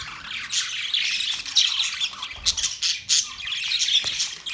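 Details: Chirping budgerigars fill the recording with busy, overlapping high-pitched warbling and scratchy squeaks, steady throughout with short louder bursts around one and a half and three seconds.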